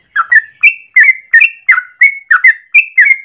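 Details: A morning yellow-vented bulbul in strong song, long rolling phrases used as a training master or lure: about ten crisp, liquid whistled notes in three seconds, each a short slur, evenly spaced and loud.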